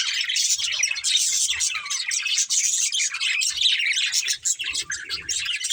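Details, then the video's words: Breeding pair of budgies in an unbroken rush of bright, twittering warbles and scratchy chirps, with faint low knocks beneath. "Cute Budgies Chirping Sounds"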